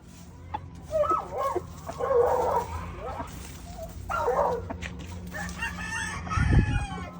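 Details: Rooster crowing in two harmonic bursts over a steady low hum, with a dull thump near the end.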